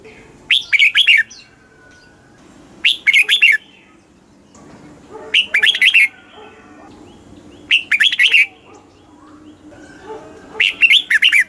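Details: Thai caged red-whiskered bulbul song in the southern master style, played to excite birds and train young birds; five short warbling whistled bursts spaced roughly every two and a half seconds, with quiet background hum and faint twitters.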